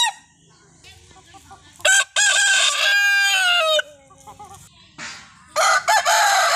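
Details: Desi rooster crowing: a loud, hoarse, drawn-out cock-a-doodle-doo of nearly two seconds that falls in pitch at the end, with faint clucks before it and a second crow starting near the close.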